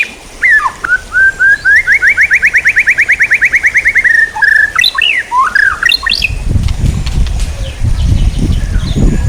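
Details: White-rumped shama singing for songbird training: a smooth run of quick rising notes that climbs in pitch, then twisting whistled flourishes, ending over a low rumbling background noise.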